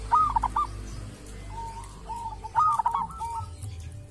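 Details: Zebra dove, a local wild bird from a sacred tomb with a distinctive voice, gives a staccato cooing phrase, a few softer drawn-out coos, then another rapid phrase of short notes.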